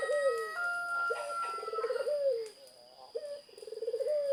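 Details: Repeated zebra dove phrases: a sharp opening coo, then a quick beaded trill that ends in a drawn-out note. A thin, level whistle sounds in the background, along with a steady electronic hum.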